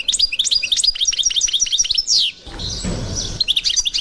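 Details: Authentic Constantine-style European goldfinch song: dense, fast twittering of bright chirps, then a long downward slur, a short rustling noise break, and the twittering starting again.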